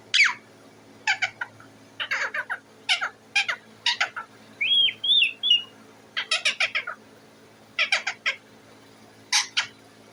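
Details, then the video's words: Parrot perched on its cage making noise to be fed, giving clusters of harsh raspy squawks in uneven bursts, broken by one short wavering whistle midway; faint steady hum in the background. "The parrot is sitting on the cage and making a noise"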